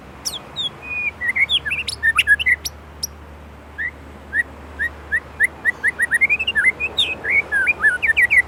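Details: Vigorous song of an Indonesian white-rumped shama: sharp high opening notes and a short whistled phrase, a pause, then a steady series of clear whistles rising in pitch and quickening into rolling slurs.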